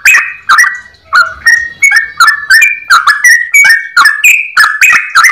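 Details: Yellow-vented bulbul singing in the long rapid 'ropel' style with a clear voice: bright, slurred notes about three a second, alternating a little in pitch, with a brief steady low tone near the start.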